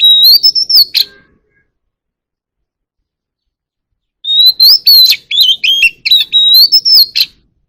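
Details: A white-rumped shama sings to gather its flock in a forest-style voice. A brief whistled opening, a pause of about three seconds, then a long run of varied clear whistles and clipped chips.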